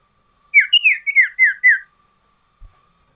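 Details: Six quick, downward-slurred whistles in one phrase from a sooty-headed bulbul's variation song, with a faint steady hum beneath and a single low knock afterward.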